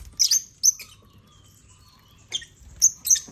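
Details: African lovebirds occupying a toy construction crane with millet; paired shrill chirps at the start, a long quiet stretch, then three more sharp high notes in quick succession.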